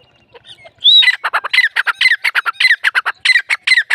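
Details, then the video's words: Dakhni teetar (partridge) calling: a rising whistled note, then a rapid series of harsh, squawking syllables repeated about twice per second through the clip. "Dakhni teetar ki awaz | teetar sound"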